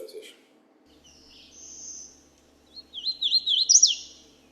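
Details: Hooded Warbler song recorded with a parabolic microphone (the same song was also taken with a shotgun mic): a quick run of bright, slurred whistles rising and falling, ending emphatically, after a thin high whistle and a brief voice.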